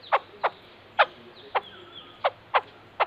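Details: White-crested laughingthrush uttering a quick series of about seven short, dry chip notes at uneven intervals of roughly a quarter to half a second, clear over a faint low hum.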